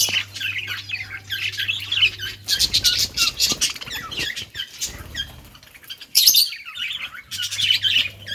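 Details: Playing budgies chatter in bursts of scratchy chirps and clicks, with brief quieter gaps, wing or cage rustles, and a louder burst of chirping near the end above a faint hum.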